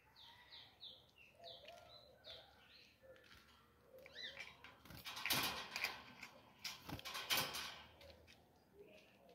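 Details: Three-month-old captive ultramarine grosbeak chick, described as spirited, singing at home: a short run of quick, warbled, slurred whistled notes over the first few seconds, followed by loud clattering and handling noises.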